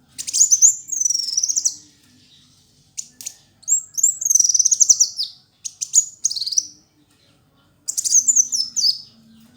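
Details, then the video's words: A Kolibri Wulung sunbird, a fighter-type singer, sings in four quick bursts of high, thin twittering trills that rise and fall, with short pauses between and a faint low hum underneath. "Kicau Burung Masteran Kolibri Wulung ayah Gacor"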